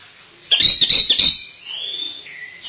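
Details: Chestnut-capped thrush singing vigorously with imitation fills: a loud burst of rapid warbled notes followed by a long, even, clear whistle that drops slightly at the end.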